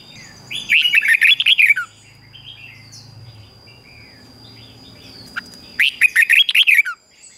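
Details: Red-whiskered bulbul morning song, played to train caged bulbuls and spur low-spirited ones to sing. Two rapid, jumbled phrases of bright whistled notes are about five seconds apart, with soft twitters and a low background murmur between them.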